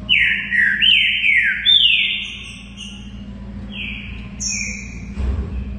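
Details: Green-winged saltator (trinca-ferro) singing a lot: loud, clear whistled phrases, a quick run of downward-slurred notes in the first two seconds, then longer drawn-out whistles falling in pitch, over a faint steady low hum.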